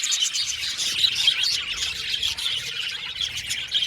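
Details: Seventy pairs of budgies in an aviary colony: a continuous shrill twittering of many voices, quick chirps and warbled squeaks running together throughout.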